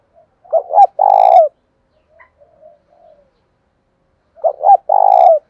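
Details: Decoy spotted dove luring wild doves, voice in thổ pha style: two quick hiccuping notes and a long burry coo, soft murmurs between, then the phrase repeated about four seconds later.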